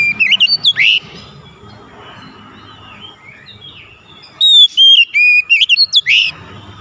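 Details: Magpie-robin singing energetic 'gacor' song, used to coax a silent bird into singing: loud whistled notes sliding up and down, a burst at the start, then rapid repeated whistles after a quiet stretch.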